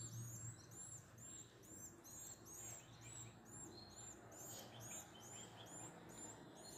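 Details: Canary chicks begging as both parents help feed them; thin, high chirps repeated rapidly, about two each second, in an uneven series over a faint low hum.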